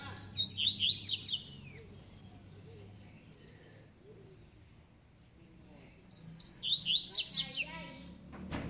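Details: A captive double-collared seedeater of the tui-tui song type gives two quick, bright song phrases of sharp rising and falling notes, about five seconds apart, over a faint low hum.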